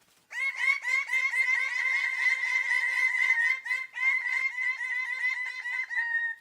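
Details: Bird of paradise giving a sustained, rapid stream of loud nasal notes, roughly four per second, with a steady pitch and even rhythm throughout and a few brief dips in loudness.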